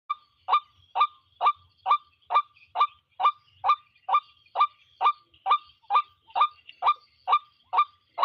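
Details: White-breasted waterhen calling: about seventeen loud, harsh, nasal honking notes in a steady series of roughly two per second, each note dropping slightly in pitch, with a faint high steady hiss behind them.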